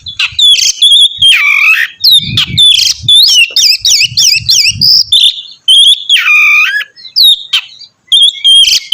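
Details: Oriental magpie-robin in energetic song meant to set off another singer: rich whistled phrases, a fast burst of rising-falling notes, harsh scratchy elements and swooping dips, with soft low thumps.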